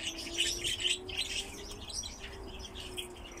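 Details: Several captive crossbills, kept alongside pine grosbeaks, give quick, high chirping calls in overlapping bursts, about two per second, over a steady low indoor hum.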